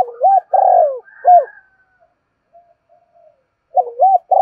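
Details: Lure spotted dove call: the end of a deep cooing phrase, a long rough descending coo and a clipped note. Faint soft murmurs follow, then the next phrase starts with a rising double note.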